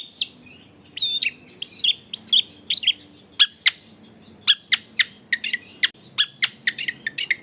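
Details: Lure song of a long-tailed shrike meant to set other shrikes singing: warbling whistled phrases at first, then a series of sharp descending clicks and chips at uneven intervals, with steady low background hum.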